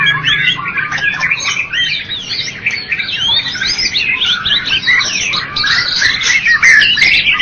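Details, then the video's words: White-rumped shama of the Medan and Java types, a first-place bird-contest winner, pouring out a dense, fast run of varied whistles, trills and slurred notes, high and shifting constantly with barely a pause. "Murai batu Medan dan Jawa Juara Satu Pemenang Lomba Bird Copsychus malabaricus Suara Burung"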